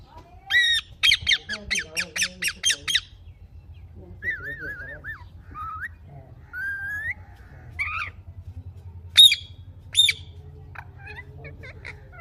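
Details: Green parrot at home: a fast run of about ten bright chirps, then wavering whistled tones with quiet gaps, and two loud sharp squawks near the end.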